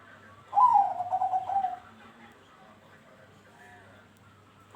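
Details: Bangkok-type zebra dove singing on a lure recording meant to prompt other doves to join in: a single phrase with a bright first note and then a rapid, bubbling series of soft low coos, fading into a quiet pause.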